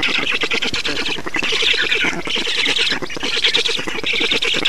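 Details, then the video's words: Black storks feeding at a nest in Estonia on 6 June 2019: harsh, rasping squawks run almost without pause in dense, pulsing bursts, briefly dipping near one second before resuming. "Estonian Black Storks - Feeding"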